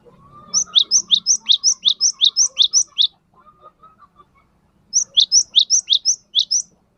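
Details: Cinereous tit song played as a lure to prompt a pet bird to answer: two runs of sharp alternating high and low whistles repeated about three times a second, separated by a quiet gap with faint chirps.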